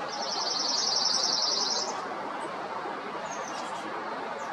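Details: Bewick's wren in Foster City or San Mateo, California, USA, June or July 2021: a rapid, high, buzzy trill of evenly repeated notes lasting about two seconds, over steady loud background rumble.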